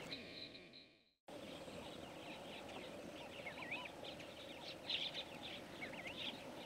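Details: Namaqua sandgrouse flock calling after a short gap; many looping, wavering liquid calls overlapping in a busy chorus, growing slightly louder toward the end.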